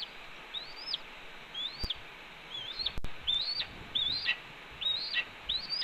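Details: Red-tailed hawk at its nest on a Cornell camera, 28 April 2013 at 10:53 AM, scolding its mate during a branch delivery: high, slurred notes that rise and then drop, repeated a little over once a second against a faint outdoor hiss.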